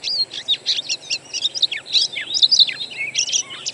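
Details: Oriental magpie-robin lure song: a busy unbroken stream of chips, sharp downslurred whistles and chattering notes, several voices overlapping, above a faint low hum.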